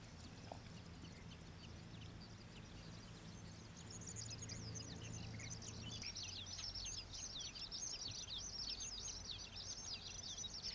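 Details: Flock of common waxbills feeding at the Old Iron Bridge wetland, Taiwan, an escaped non-native population; quiet at first, then from midway a dense burst of high buzzy chirps and twitters from many birds, over low rumbling noise.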